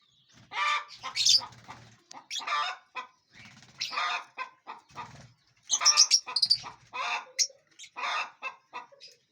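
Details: Several lovebirds in a large aviary, feeding and flying, keep up busy harsh chattering and shrill chirps almost without pause, with wing flutters in places.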